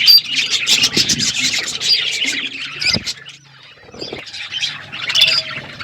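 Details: Budgies on a winter morning give bursts of busy chirping and warbling chatter, a short lull near the middle, then a fresh round of high, scratchy notes.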